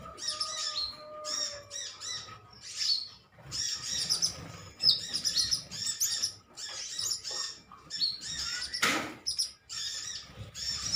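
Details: Metallic green sunbirds in a colony bickering with one another, giving a continuous stream of sharp, high, sputtering chirps and ticks, closely packed and uneven; a faint lower whistle at the start and a brief noisy rustle near the end.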